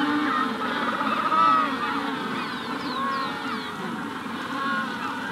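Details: Magellanic penguins calling in a colony at the hatching stage: a dense chorus of overlapping braying, honking calls, with high chirps from a rufous-collared sparrow in the background.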